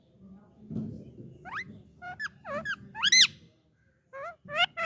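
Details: Indian ringneck talking parrot producing varied short chirps and sweeping squawks, some rising, some arched, bunched in quick groups with a pause midway, over a faint low hum of room noise.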